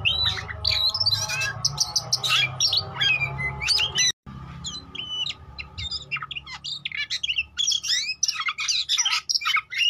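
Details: Oriental magpie-robin lure song for making rivals sing and respond: dense, varied whistles and chattering notes, a short break near the middle, then crisp repeated chips and slurs with a faint hum early on.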